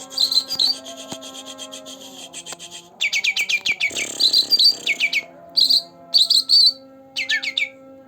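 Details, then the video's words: Young green leafbird, two months old, pouring out fast trilled chirps and high whistled notes in varied bursts, with a brief rustling noise near the middle and a constant low hum behind. "Cucak Ranting Gacor Dor Dor pancingan untuk burung yangg jarang bunyi"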